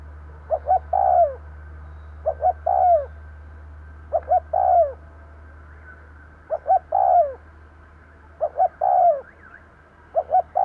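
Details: Spotted dove kept as a decoy, cooing to attract wild doves. Five or six phrases repeat roughly every two seconds, each a pair of short notes and a long mellow downward coo, with a low hum throughout.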